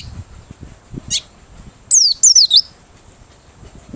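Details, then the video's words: White-eye from Merapi, singing with beak open, a song used to lure birds: one faint short note, then a fast run of three high, downward-sliding notes; low murmuring background. "Pleci Merapi Ngalas Losssdol,cocok buat pikat~pancingan || Buka Paruh"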